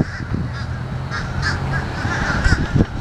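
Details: Several short nasal calls from noisy fish crows, given in a loose series and set against a steady low rumbling background.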